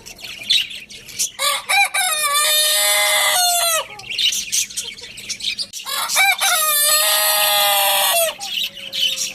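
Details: Lohmann Brown rooster at the Lalukhet bird market crowing loudly twice: each crow opens with short rising notes, then holds a long harmonic tone that drops at the end. Dense chattering of small cage birds continues throughout.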